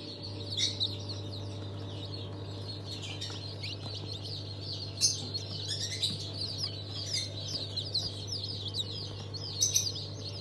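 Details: Newly hatched chicks of mixed breeds, including Legbar, from a hatch on 27 March 2023. Dense, overlapping high-pitched peeps from many chicks run throughout over a steady low mechanical hum.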